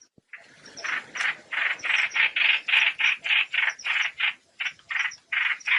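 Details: Trao trảo bird calling the flock, a call used as a lure for net trapping: harsh, buzzy chattering notes repeated about three times per second in a steady run, with brief gaps.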